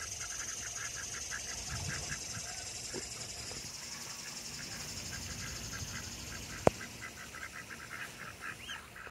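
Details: Several Pekin ducks quack in a steady run of short, nasal calls, several each second, as they exit a lake in Oviedo, Florida, while a female and a male Muscovy duck walk over to greet them; soft hiss, one sharp click.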